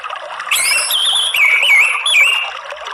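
An orange-headed thrush sings a loud, rich phrase of high whistles with quick slurred rises and falls, running continuously for over two seconds.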